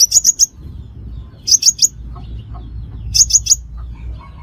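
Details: Sunbird call used to lure birds into traps: triplets and quadruplets of sharp, very high chips repeated about every one and a half seconds against steady low background noise.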